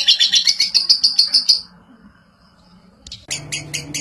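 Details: Lovebird chattering in a fast burst of shrill, buzzy notes for under two seconds, then near silence, then a few more sharp notes over low background noise.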